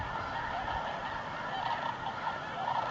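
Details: Thousands of Snow Geese settling among flocks already gathered at nightfall, New Mexico desert, November 2014; a short stretch of dense, overlapping yelping honks forming a constant chattering din.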